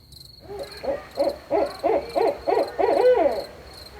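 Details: Barred owl hooting at night: a rapid run of about eight loud, arched, wavering notes that build in strength and end in a drawn-out hoot, with crickets pulsing steadily in the background.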